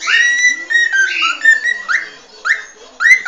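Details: Original cockatiel song: a sustained whistle wavering slightly in pitch, then short upward-sweeping notes repeated at about half-second intervals, harmonics reaching high, over a soft continuous background hum.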